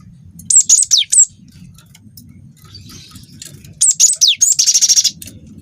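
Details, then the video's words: Young cinereous tit of the Wingko type, a lure recording to provoke other birds into singing; high thin whistled phrases of quick notes with steep downward sweeps, two bursts, the second ending in a dense buzzy rattle. "PANCING BUNYI GELATIK BATU GACOR WINGKO"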